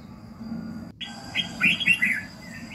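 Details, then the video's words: Red-whiskered bulbul in the morning, a training recording to fire up a bird. After a brief quiet gap comes a single short phrase of bright, warbling whistled notes rising and falling, with a faint constant hum beneath. "luyện giọng Chào mào buổi sáng kích lửa hiệu quả"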